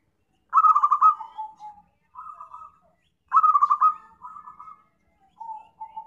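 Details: Zebra dove call played as a trapping lure: two loud stuttering coo bursts, each followed by a gentler pulsed phrase, ending with a pair of faint lower notes, on a clean, silent background.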